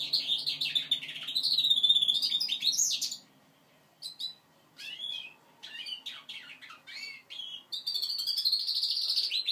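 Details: Goldfinch mule, five months old, learning its song: a loud buzzy twittering phrase, then a gap with scattered chirps and short slurred notes, ending in a long sustained trilling passage.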